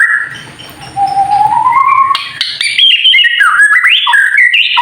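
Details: White-rumped shama in kretekan singing style, meant to provoke other shamas into singing: a long slowly rising clear whistle, then quick varied whistled phrases jumping between mid and high pitches, over faint low rumbling early on.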